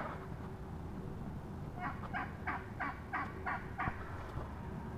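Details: Wild turkey hen, heard up close on March 22, 2017, producing a short run of six or seven quick yelps against steady low-pitched background noise.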